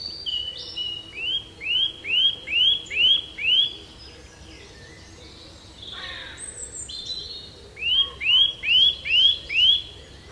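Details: Bird song outdoors: bright repeated whistled phrases, each a quick upward-curving note, delivered in two bursts of five or six, about two to three per second, with a short buzzy note between.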